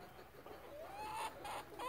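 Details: Domestic chickens in a relaxed flock, with roosters' loud crows left out. One soft, drawn-out tonal note rises slowly and then holds steady. It sits over a faint background hiss, with some quiet rustling earlier on.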